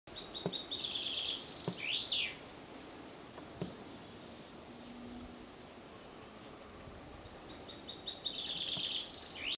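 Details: Songbird singing high in a tree: a quick series of high, sharp notes leading into a rising, trilled flourish. The phrase comes twice, separated by a long quiet gap with faint background noise.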